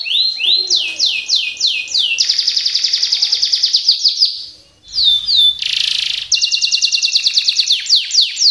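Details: Canary in full song with rapid rolls and sharp bursts: descending sweeping notes leading into a dense fast trill, a brief pause, a harsh buzzy burst, then more rapid repeated chirping syllables.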